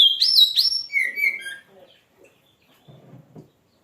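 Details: Kacer (oriental magpie-robin) singing hard, gacor: a loud high warbled whistle stepping upward, then lower chirpy notes that fade into faint low rustling sounds.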